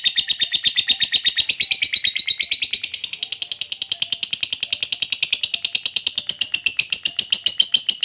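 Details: Unbroken ngekek panjang, a long shrill trill from a lovebird, used to lure other lovebirds into singing. Rapid even pulses run through the whole clip, with the pitch shifting slightly upward partway through.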